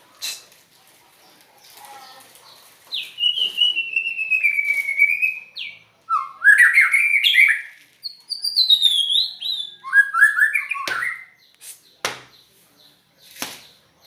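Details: White-rumped shama singing an unusual song: a long sliding whistle, then rapid warbled rising and falling phrases, high trills and a descending run, with sharp clicks and pauses between.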